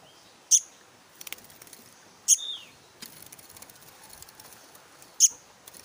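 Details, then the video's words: Black-naped monarch nestling uttering three brief, strident, high rasps at uneven intervals of two to three seconds, with soft ticking and rustling sounds between them. "suara anakan burung kehicap ranting"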